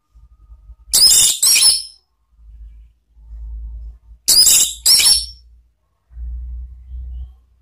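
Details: Orange-headed thrush "ngeplong" sound used as a lure: two pairs of loud, harsh, scratchy high notes about three seconds apart, over a faint low hum.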